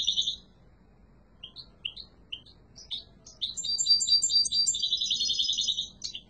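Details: Yellow mutation European goldfinch starts with a brief twitter, then spaced single rising chirps about every half second, leading into a rich, fast, jangling song phrase.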